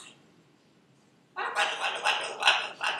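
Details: Pet female Buffon's macaw repeating her own name over and over: after a quiet start, a run of loud, throaty, speech-like syllables with rough harmonics, rising and falling in quick succession, about two or three per second.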